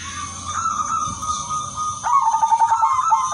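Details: Zebra dove of the udanmas silver type, lively and melodious, singing to lure other doves: a long steady whistled tone, then a loud burst of quick throbbing coos to the end; faint constant hiss throughout.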